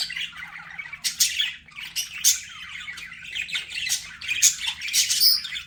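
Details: Pet budgerigars chirping for calming lonely birds: soft warbling chatter punctuated by sharp squawks and occasional clear whistled notes, growing busier toward the end.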